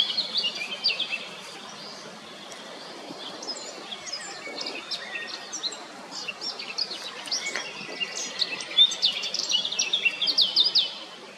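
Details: Singing Eurasian blackcap: bursts of quick chattering and twittering phrases, high and jumbled, rising toward a busier, louder stretch at the close, with constant low background hiss.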